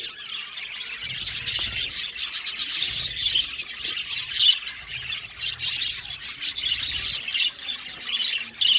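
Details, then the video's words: A crowd of aviary budgies chatters loudly, mixing harsh squawks and squeals with high warbling chirps in an unbroken din. "Beautiful Budgies chirping sound | Budgies talking sound | budgies parakeet sounds"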